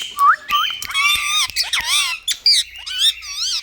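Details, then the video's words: Pet Indian ringneck parakeet indoors giving loud, harsh squawks and wavering whistled notes in quick irregular bursts, some sliding up and down, with brief clicks between calls. "Parrots Beauty Funny Sound"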